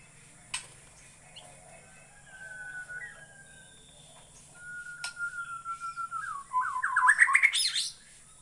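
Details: White-rumped shama of Borneo: a long flat whistle followed by a quickening series of short notes that climb into a rapid, rising flourish near the end, with sharp clicks earlier.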